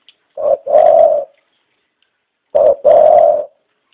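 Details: Caged dove kept as a pet bird: two deep cooing phrases, each a short note followed by a longer drawn-out coo, about two seconds apart, in a quiet setting.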